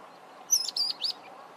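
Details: Mousebird recorded in Zambia: three quick, high, thin chirping notes in close succession, the middle one slightly longer, against a soft hiss.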